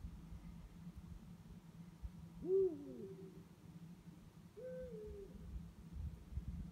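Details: Two Eurasian eagle-owls calling at night: two deep, drawn-out hoots about two seconds apart, the first swelling then dropping in pitch, the second sliding gently downward, over a steady low rumble of background noise.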